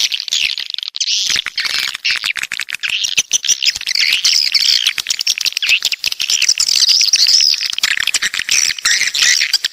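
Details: A crowd of swiftlets, locally walet pantai, from the south: nonstop high chittering and rattling clicks blend into a thick, unbroken wall of sound.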